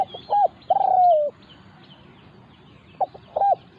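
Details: A caged decoy spotted dove and a wild territorial bird confront each other. Short staccato notes lead into a long, drawn-out descending coo. A new phrase begins near the end. Faint chirping of small birds sounds behind.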